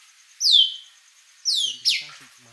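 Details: White-rumped shama singing vigorously: three loud, high whistles, each sliding sharply downward, the first longer and drawn out, the last two close together, with faint speech in the background.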